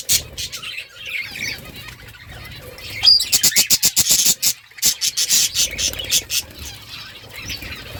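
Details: Budgerigars, colourful pet parrots, chirping in a rapid series of sharp, high clicks and chatter, with bursts of short repeated notes in the middle and softer warbling around them.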